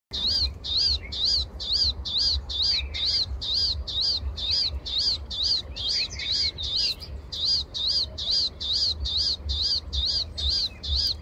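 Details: Palestine sunbird in the morning repeats a high, bright chirping note about twice a second; a faint second bird calls briefly, over a low rumble of wind; Palestine sunbird.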